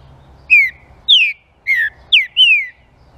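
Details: Green-winged saltator song used to stir up other saltators: five loud, clear whistled notes, each slurring downward, in a quick, uneven phrase over a faint low hum.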